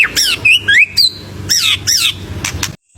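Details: White-rumped shama in full, varied song used to stir other birds kept at home: harsh squawky notes and swooping whistles in short bursts, with a low background rumble.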